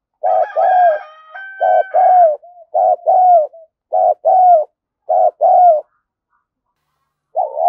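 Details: Spotted dove used as a lure, cooing to stimulate rivals: repeated pairs of soft, hollow coos in quick rhythm, with a thin steady whistling tone over the first coos, then a pause before a final coo.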